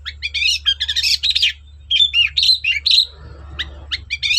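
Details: Long-tailed shrike in vigorous song, used to coax silent shrikes into singing: fast, continuous jumble of harsh chatters and short whistled notes over a steady low hum.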